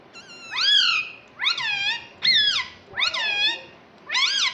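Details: Talking pet rose-ringed parakeet, a green ringneck, repeating a word said to be "mummy": five loud, rich, arching, nasal phrases, each rising then falling, about one per second, in a quiet indoor room.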